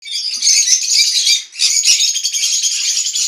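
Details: Green-cheeked parakeets (Pyrrhura molinae) in an aviary in the morning chatter in a harsh, dense stream of high scratchy squawks and chirps, broken by one brief pause midway.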